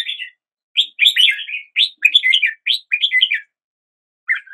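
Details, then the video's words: Red-whiskered bulbul singing at the start of the day: short bursts of rich, bubbly warbled phrases, each about half a second long, separated by brief pauses, with one last short phrase after a longer gap. "Red whiskered Bulbul Song"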